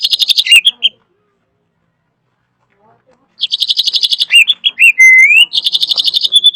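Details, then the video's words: Drongo (srigunting) delivering loud, varied song: harsh rapid rattles, a clear level whistle rising at its end, and quick chipping notes, separated by a silent gap. "Kicauan Unik Srigunting Gacor Suara Kencang Bervariasi"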